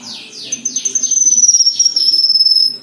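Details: Black-winged myna in continuous song, used as song-filling material: a run of quick downward-swooping whistles gives way to a long, very high, sustained trilled note that pulses rapidly and slowly sinks in pitch before fading.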